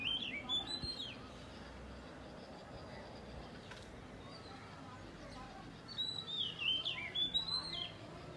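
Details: Oriental magpie-robin (Copsychus saularis) singing at dawn, bright, varied whistled phrases rising and falling sharply in two bursts separated by a quiet pause, over faint background hiss.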